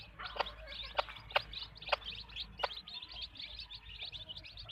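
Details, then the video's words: Backyard hens give several crisp clucks in quick, uneven succession, then stop, while dense high-pitched chirping from the flock continues throughout. "chickens clucking | hens clucking"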